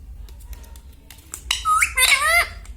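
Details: Pet parrot talking indoors, said to say mummy, papa and radhe radhe. After a quiet start with light clicks, a short rising then wavering nasal utterance fills the last second.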